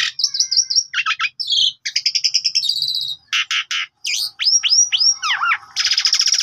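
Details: Asian pied starling in full, active song, a recording used as a master song to train other birds: a rapid, varied medley of whistled trills, buzzy rattles, chattering notes and sweeping rising and falling whistles.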